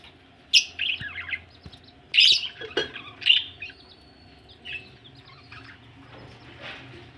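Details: Budgerigars said to be ready for laying eggs give a few loud squeaky chirps and short warbles early on, then softer scattered twitters fading into background hum.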